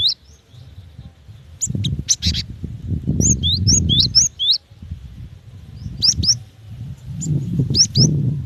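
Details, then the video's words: Calls of a female cinereous tit summoning the male: a loose series of high bent whistles and sharp chirps, then paired upswept notes near the end, over intermittent low thumping noise. "Suara gelatik batu betina"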